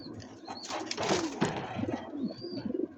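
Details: Mondain pigeon, a very excited male kept by its owner, calling: low, wavering coos in short bursts that rise and fall, repeated several times, with rustling and broadband bumps around them.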